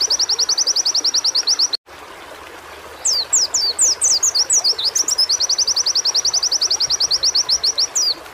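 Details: White-eye song from singing-stimulation audio: a rapid high trill cuts off abruptly in a short dropout, then descending whistled slurs lead back into a long, steady trill of quick identical chips.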